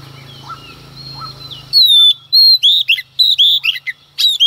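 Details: Provoking song of a female Oriental magpie-robin at dawn: quiet chirps of other birds, then from about 2 seconds a busy string of loud, bright whistles and twisting slurred notes.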